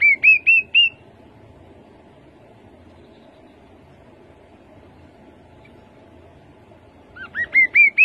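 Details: Rufous-capped babbler singing two phrases, each a quick run of five or six clear, upslurred piping whistles that climb in pitch, separated by about six seconds of quiet with faint low background hum.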